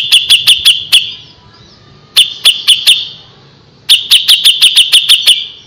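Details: Three short volleys of rapid, high, ticking notes from a gacor grey-cheeked bulbul, each burst of five to eight clicks separated by quiet gaps, for use as a tutor recording.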